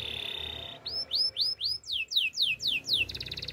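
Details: Russian canary song opening with a fast rattle, then about nine clear slurred whistles, each sweeping down, repeated roughly four times a second, closing with a buzzy high trill.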